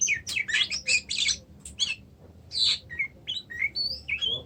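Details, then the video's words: Oriental magpie-robin described as not singing, giving a quick series of scratchy, buzzy rasps, then a short pause followed by several brief sharp whistled notes and chips. "kacer macet"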